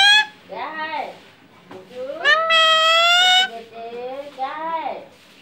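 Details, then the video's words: Pet Alexandrine parakeet talking indoors, saying mummy: a drawn-out, nasal, rising harmonic cry followed by shorter bent, wavering syllables, with quieter human speech between. "Talking Alexandrine parrot saying mummy"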